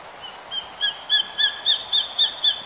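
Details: Hawk, a Japanese sparrowhawk (Accipiter gularis), giving a rapid series of about eight sharp, nasal 'kyi' notes, roughly three per second, growing louder, over faint background hiss.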